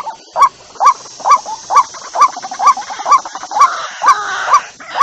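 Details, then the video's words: Lure call of a white-breasted waterhen, a rhythmic series of hoarse honking notes, about two per second, evenly spaced over a soft hiss of background noise. "tiếng quốc Mồi"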